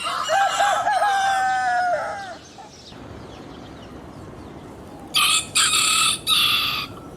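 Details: A rooster crows once, with a wavering, bumpy opening and a long level note, followed by silence of background hiss and then three short harsh bursts in quick succession.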